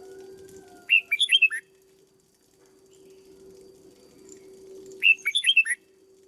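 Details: Red-whiskered bulbul kept in a cage for training sings two short, lively whistled phrases about four seconds apart, each a rapid run of five rising-and-falling notes, with a constant low hum behind.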